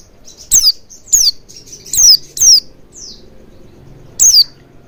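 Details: Oriental white-eye calls played as a lure for singing: high descending notes at irregular spacing, with quieter soft chirps between and a faint low hum underneath.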